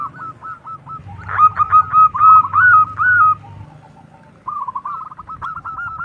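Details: Local zebra dove with a strong voice, calling to prompt an answer. Soft stuttering coos open, then a louder, ringing run of drawn-out rolled notes, a short quiet pause, and a fresh burst of fast trilled coos, with a low hum beneath.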